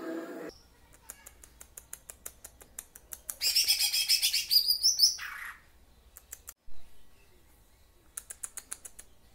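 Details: Greater green leafbird rendering lovebird-style phrases: a burst of shrill, rapid chattering in the middle, framed by a regular series of soft, sharp ticking clicks that continues before and after.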